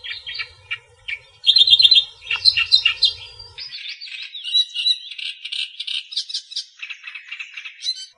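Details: Natural recording of Australian reed warbler song: scratchy chattering notes with a faint low hum early on, building into a loud, continuous stream of harsh, varied, rapidly repeated phrases.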